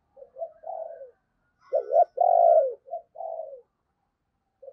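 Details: Decoy spotted dove with a deep 'sấm bầu' voice, kept to attract wild birds, giving soft lead-in coos, then two loud hollow coos, then quieter trailing coo notes.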